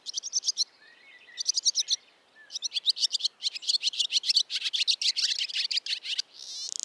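Barn swallow giving rapid, high twittering notes in quick bursts, with a brief buzzy trill at the end.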